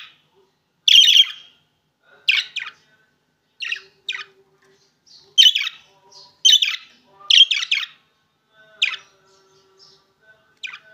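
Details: Opaline green and opaline blue budgerigars give harsh, scratchy chattering bursts about once a second, high-pitched and buzzy, with faint softer chirps between.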